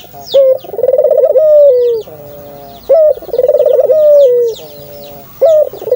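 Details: Dove giving a repeated cooing phrase: short sharp opening note, a rolled, trilling coo easing downward, then a quiet, level hum, heard twice with another start; small birds chirp thinly in the background.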